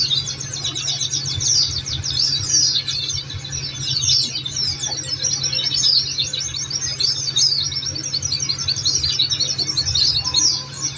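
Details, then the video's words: Oriental white-eye song, used as training material to prompt caged birds to sing back: dense, high, rapid twittering with overlapping chattering trills running without pause, over a steady low hum. "Masteran||Terapi Kicau Pleci"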